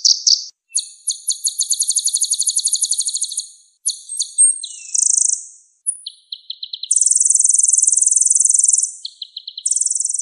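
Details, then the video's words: Sunbird song played as a training recording for cage songbirds: bursts of fast, high, buzzy trills alternating with short chirps and brief twittering phrases, separated by gaps of silence. "MASTERAN SPESIAL KOLIBRI GACOR || MEMACU BURUNG BERKICAU GACOR"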